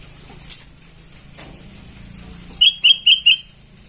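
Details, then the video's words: Sooty-headed bulbul chicks giving begging calls, used as a lure: four short sharp chirps in quick succession near the end after a quiet stretch with faint background hiss. "Suara pancingan anakan burung kutilang memanggil"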